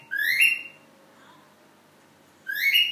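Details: A cockatiel sings to its mate indoors, giving two bright upward-sliding whistles separated by a pause of nearly two seconds.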